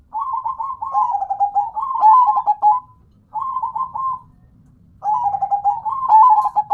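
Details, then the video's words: Local zebra dove (perkutut) singing actively, called manggung: bursts of stuttering, trilled coos near one pitch, a short dip then a rising end, in three phrases with brief pauses. Faint low rumble beneath. "Dengar Dan Rasakan Manggungnya, Suara Serta iramanya BIKIN CANDU"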